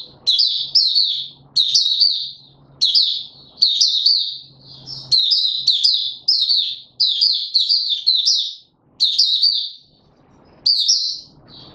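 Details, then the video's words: White-eye in a cage being pushed into singing form, 31 December 2021: steady stream of high, jumbled twittering phrases with short breaks and a faint low hum beneath. "Mata Puteh - Raja V2 Pushing him on form buka sing"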